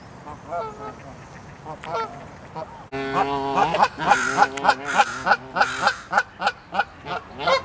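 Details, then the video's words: Several Canada geese, angrily arguing and charging at each other, trade loud, nasal honks, first scattered and then a rapid run of about three per second as the fight heats up. "Canada Geese HONKING ARGUMENT Gets Heated"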